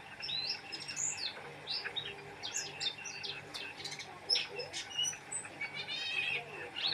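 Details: Oriental white-eye pouring out a rapid, high-pitched twittering song of sharp chips and slurred whistles, including a brief buzzy trill near the end, with low hum behind.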